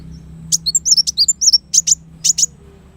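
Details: High-pitched black sunbird song of quick, sharp chips and short slurred whistles, delivered in fast irregular bursts over a faint low hum.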